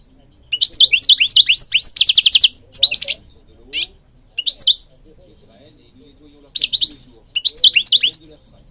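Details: Singing goldfinch from Morocco: rapid high twitters, a dense buzzy trill, then scattered short phrases of bright slurred notes separated by pauses.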